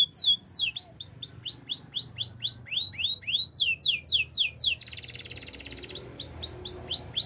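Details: A canary's training song made of long runs of curved, downswept notes, rapid and rhythmic. A dense metallic rattle tour about a second long breaks the runs before the sweeps resume over a faint low hum.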